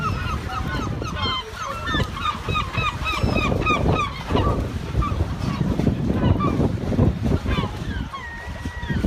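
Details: Seagulls in Norway calling, several overlapping nasal, mewing cries rising and falling, repeated in quick succession over a steady low rumble of wind and surf.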